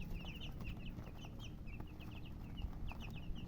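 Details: Colored chickens keep up short, high-pitched chirps, some rising and some falling, scattered closely across the whole stretch over a low hum.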